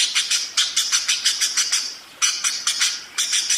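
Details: Budgerigar singing in a rolling, continuous ngerol style: bursts of rapid, harsh, high chirps pulsing about five times a second, with a short pause before further chirp runs.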